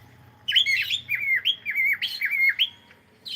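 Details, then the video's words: Singing cockatiel at play, a run of clear whistled notes that swoop down and back up, several in quick succession over about two seconds, then a short break before a new phrase begins. "Cute Cockatiel singing and sound and playing"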